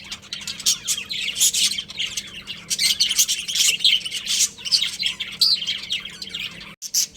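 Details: A pet budgerigar breeding pair fills the air with continuous twittering and rasping chirps, dense and high-pitched, broken only by a brief silent cut near the end.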